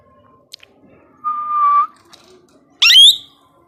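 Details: Tame two-year-old male plum-headed parakeet kept as a pet, known to speak Urdu or Hindi words and whistle: a steady, level whistle lasting half a second, then after a pause a short harsh rising squawk, in a quiet indoor room.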